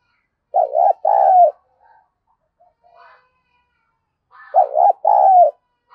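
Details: Lure call of a spotted dove, a mellow two-part cooing phrase heard twice about four seconds apart, with faint soft notes between the phrases.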